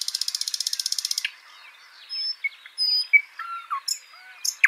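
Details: Garden birds in Washington State: a rapid buzzy trill lasting just over a second, then assorted thin whistles, slurred notes and short chirps from several birds.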